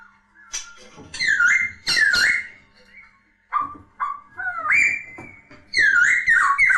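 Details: Poksay laughingthrush, a popular cage songbird, singing loud slurred whistles that swoop up and down, given in short bursts with brief gaps and a faint hum behind.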